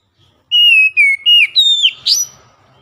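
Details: Oriental magpie-robin, a kept bird, singing a loud lure song in the ngeplong style: clear, loud whistled phrases, some level and some sliding down, ending in a sharp rising note, with a quiet background.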